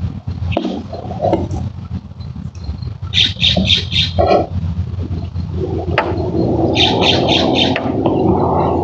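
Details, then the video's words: Young barn owls, roughly five to six weeks old and still shedding down, give rapid clusters of harsh, breathy hisses around mid-clip and again later, with rustling and a rising rushing noise behind. "Barn Owl Babies - about 5-6 weeks old"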